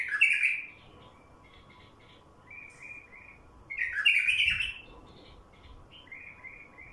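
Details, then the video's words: A wild bulbul sings in loud, rich warbled bursts, one at the start and another about four seconds in, separated by quieter strings of brief chirps, over a faint steady hum. Used for luring wild bulbuls. "تغريد بلبل وحشي لفتح البلابل الوحشية"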